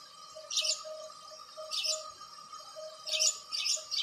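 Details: House sparrow giving a few rough, buzzy chirps with irregular gaps. A soft throbbing hum continues behind them.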